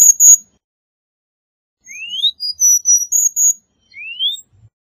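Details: Cuban bullfinch giving two sharp high notes, a pause, then thin upslurred whistles and short high-pitched piping notes, ending with one more rising slurred whistle.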